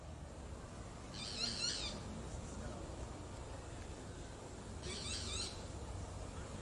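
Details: Boat-billed flycatcher calling twice, about four seconds apart: short, harsh, buzzy high-pitched bursts with a nasal, slightly rasping quality, over a steady low background hiss.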